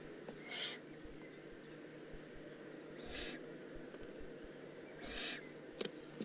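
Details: Young Eurasian eagle-owl in the Eifel on 18 June 2016 repeating a breathy, rasping hiss three times, roughly every two and a half seconds, with a faint click near the end.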